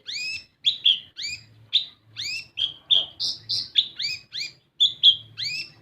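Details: Lure recording of kolibri ninja, the olive-backed sunbird, meant to coax untrained birds into song: sharp, high, swooping chirps follow one another rapidly, some flatter and buzzier, all over a quiet low drone.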